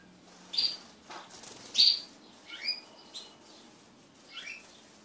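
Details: Pet crested canaries mating together. Scattered sharp high chirps and brief twittered notes, some loud and some softer, spaced unevenly over a faint steady hum.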